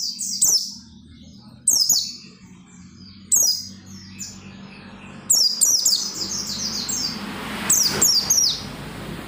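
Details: Oriental white-eye singing hard to encourage other white-eyes: sharp, high falling chirps given roughly every one to two seconds, later a denser twittering run, over a steady low background hum and noise.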